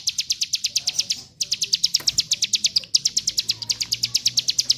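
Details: Mountain white-eye singing a rapid training song for other birds: quick high chirp series, briefly interrupted twice by short gaps, then resuming at the same brisk pace.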